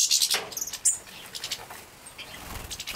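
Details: Captive-bred young European goldfinches in Poland, 2017, at feeding time: a short burst of thin, very high buzzy chirps, then scattered sharp tweets and a brief whistled note fading to quieter chatter.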